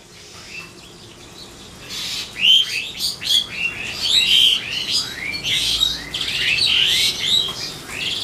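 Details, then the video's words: Asian pied starling (pied myna) singing loudly in a backyard early in the morning: a fast, jumbled run of bright chirps, liquid whistles and scratchy notes, beginning after two quiet seconds and running on steadily. "Singing Pied Myna"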